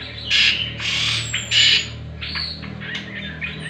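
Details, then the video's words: Lure song of a greater green leafbird for training other birds: a few loud bursts of rich, buzzy whistles, then softer chirps, with a high thin descending whistle and low mechanical hum behind. "Pancingan dan Masteran Cucak Kombo"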